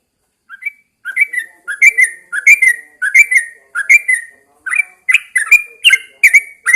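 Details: Yellow-vented Bulbul kept in a cage, set outside at dawn so it sings: after a brief opening note, a steady run of liquid two-part whistles with slightly rising, rolling phrases, growing louder toward the end.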